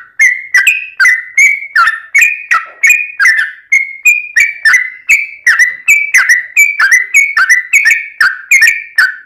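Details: Fighting song of a Yellow-vented bulbul, meant to make other bulbuls answer: a long unbroken chain of short bubbling whistles, over twenty in nine seconds, each with a snapping attack and a slightly falling tail.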